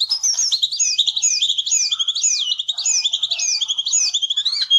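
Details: Javan cochoa singing for songbird training: a continuous rolling sequence of looping, rising-and-falling whistles repeated in a steady rhythm, with quick chips in between.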